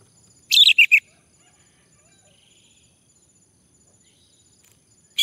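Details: A male orange-headed thrush, coaxed to sing, gives a brief cluster of three sharp, rich notes, then falls quiet apart from a faint high hum, before another note cuts in at the very end.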